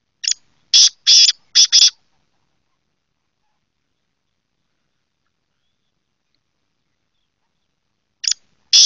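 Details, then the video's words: Black francolin, known locally as kala teetar: a quick burst of five harsh, scratchy high notes within two seconds, a long silence, then two more grating notes near the end; no other sounds. "Voice of Teetar Bird - Black Teetar Ki Awaz"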